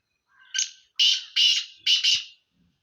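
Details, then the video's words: Sindhi black francolin calling: a faint opening note, then four loud, harsh, grating notes in close pairs over about two seconds, with rasping broadband tone and clean silence around. "سندھی کالے تیترکی مکس آوازیں"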